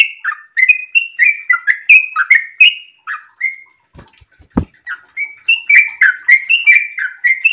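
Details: In breeding condition, a sooty-headed bulbul delivers a rapid run of liquid, down-slurred whistles, pauses briefly around a sharp knock, then resumes the quick whistled phrases.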